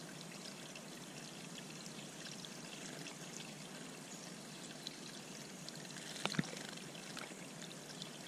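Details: Steady pouring, trickling water fills the recording, with one sharp knock near the end and no animal voice.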